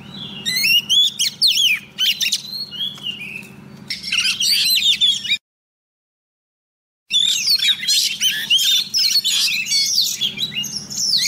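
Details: Female Oriental magpie-robin singing to lure a male, used as a trapping decoy: quick bursts of bright whistles, slurred notes and chattering chips, cut by a two-second silence before the varied song resumes, steady low hum beneath.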